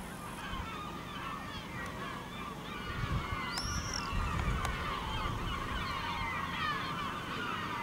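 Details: Many gulls over a village in Ortegal toward nightfall, calling in a continuous tangle of short mewing and laughing notes, with a brief higher whistled sweep near the middle and a low background rumble.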